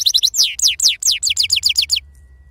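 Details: European goldfinch of wild origin, authentic serfati song: a rapid series of clear downslurred whistled notes, about five per second, ending abruptly.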